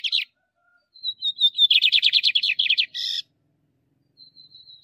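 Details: Male lined seedeater song for stimulating and training caged birds; a short buzzy burst, a thin high whistle, then a fast run of about a dozen loud buzzy chattering notes ending in a harsh note, then faint thin whistles.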